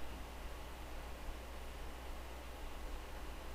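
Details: Steady hiss with a low electrical hum throughout and a faint rustle, with no animal calls.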